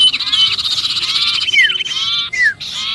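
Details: Brief sirpu distress calling, as if trapped, for luring other birds: high buzzy chatter broken by two clear down-slurred whistles.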